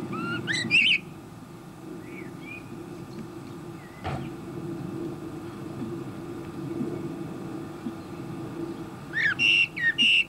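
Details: A male common blackbird, a regular visitor feeding on a bird table, sings with his mouth full: two short, fluty song phrases, one at the start and one at the end, over a steady low hum of distant traffic.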